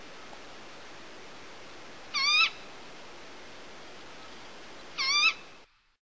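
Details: Tawny owl: two brief, sharp, high-pitched rasping calls about three seconds apart, each under half a second, with quiet hiss between them.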